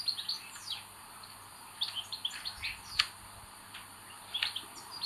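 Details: Common buzzard nestlings, 25 May 2022, with an aggressive eldest chick: clusters of sharp, high, falling whistled squeaks in short bursts separated by pauses, plus a few brief clicks and light rustling.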